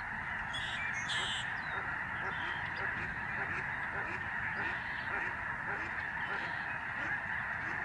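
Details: A huge flock of Lesser Snow Geese flies overhead at the George C. Reifel Migratory Bird Sanctuary, Canada, in November 2011. Thousands of birds produce a dense, unbroken din of overlapping honks, with a few higher yelps near the start.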